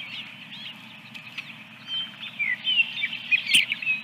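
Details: Osprey at its nest holding eggs, recorded 24 April 2022: a run of high, thin whistled chirps, some slurred downward, growing busier and louder over a few seconds above a steady low hum, with one sharp click.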